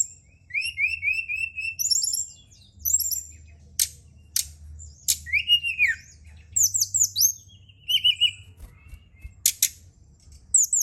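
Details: Lively song of a Brown-chested jungle flycatcher, used after dark to prompt singing: repeated clear whistled notes around a steady pitch, then quick chips, rising and falling slurs and rapid twittering over nearly eleven seconds.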